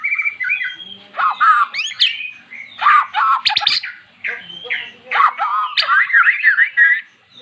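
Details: A previously silent magpie-robin sings after repeated luring with recorded song of its kind. Loud, varied phrases of sweet whistles, sharp up-and-down sweeps and short rasping notes come in quick bursts separated by brief pauses.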